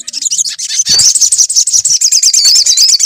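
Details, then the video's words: Sunbird song from a lure to prompt singing: a continuous, very high, rapid chattering trill with fast repeated notes throughout. "PANCINGAN SUARA SOGON AGAR BUNYI"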